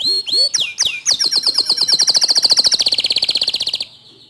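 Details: Canary master song for drawing other canaries into full song: looping upward whistles, then a long accelerating trill of crisp repeated notes that shifts to a lower buzzy roll before fading out.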